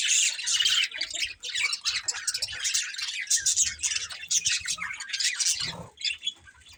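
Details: A family of pet budgies chatters in a steady run of high, scratchy chirps and squawky notes from several birds, fading slightly toward the end.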